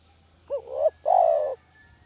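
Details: Single call of a spotted dove, derkuku kampung, used to lure doves: a quick rising coo that bends and swells, then a longer, level, vibrating coo, low in pitch, with a soft hum underneath.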